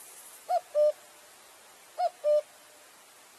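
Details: Singing cuckoo gives two clear falling two-note phrases, a short higher note then a held lower one, about 1.5 seconds apart, with another note starting at the very end.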